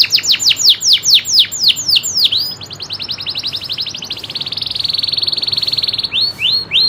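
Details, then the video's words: Local canary song of quick falling whistled notes running into a long rapid buzzy trill, then a few final downward sweeps. "kenari loper suara asli nembak ngerolll"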